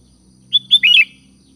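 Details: Calling out to companions, a sooty-headed bulbul gives a brisk liquid phrase: two clear separate notes followed by a rolling, warbled pair that falls at the end. A faint low hum sits underneath.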